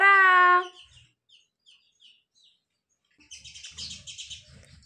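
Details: Pet parrot taught to say "Sita Ram": a short loud tonal note, then faint scattered chirps and a stretch of soft rustling.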